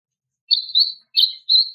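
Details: Female greater green leafbird calling to a male: three clean, high, slightly buzzy notes, the first drawn out and wavering, followed by two shorter bright notes, no other sounds.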